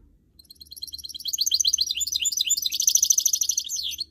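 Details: Canary and goldfinch hybrid (goldfinch mule), kept as a trained singing bird, delivering a fast, dense run of high twittering and trilled notes that builds after a brief start and holds steady for over three seconds before stopping abruptly.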